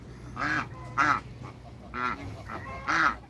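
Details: Backyard African geese, two males and one female kept with other waterbirds, give four loud nasal honks spaced about half a second to a second apart, each harsh and broad with a low arched base, over a steady low hum.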